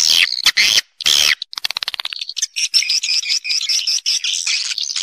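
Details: Swiftlets recorded in the wild, a roosting (inap) call used as a lure to draw swiftlets to roost: sharp broadband clicks, then rapid high buzzy chirps repeating almost twice a second, several birds calling over one another.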